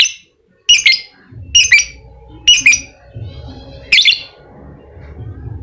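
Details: Ngekek song of a lovebird, played to coax a reluctant bird into singing: four sharp, high chattering bursts spaced under a second apart, then softer low background rumble after the last burst.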